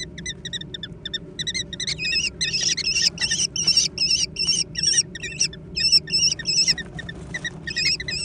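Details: Young American kestrels scrambling for food, beginning with thin, quiet chipping notes that swell into loud, rapid, overlapping shrill squeals repeated nearly three times per second, with a faint hum behind.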